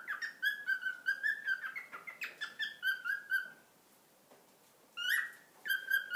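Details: A male pet cockatiel, nearly two years old, gives a quick run of rich, slightly buzzy whistled chirps for about three seconds, pauses, then adds two rising whistles.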